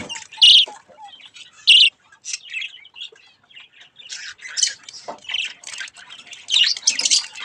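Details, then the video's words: Budgie chicks having fun with a mirror squawk and chirp in irregular high bursts, two loud harsh notes early and a busy scratchy chatter after. "Budgies chick's mirror fun time 😅Budgies Playing Baby Budgies"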